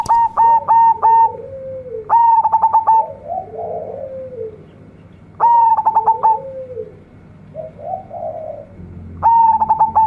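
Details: Local zebra dove, a strong singer with a big, rich voice: loud cooing phrases, each opening with a few quick stuttered notes and ending in a softer, lower trailing coo. Phrases repeat roughly every three to four seconds against a low background hum.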